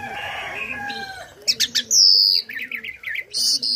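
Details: After soft low tones, a tame starling kept as a song tutor bursts into quick chips, a long high whistle, a wavering warbled run and a final bright note.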